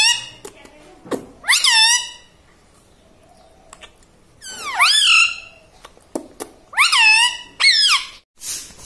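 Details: Talking parrot kept indoors, saying mummy: clusters of two or three loud, nasal, dipping syllables, spaced by pauses, with faint clicks between.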